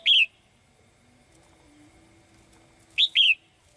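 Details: Caged female bird calling for a male: a slurred whistle at the start, then after about three seconds a quick rising note and a falling whistle.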